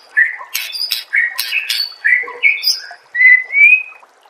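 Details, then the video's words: White-rumped shama master song for training caged birds, with short whistled phrases broken by harsh, broad squawking bursts, ending in two clear rising whistles. "suara MASTERAN burung"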